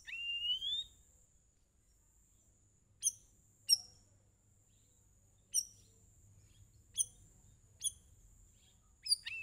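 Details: Sooty-headed bulbul song used to set other birds singing: an opening rising whistle followed by short sharp high chirps repeated roughly every second, with a constant thin high whine behind.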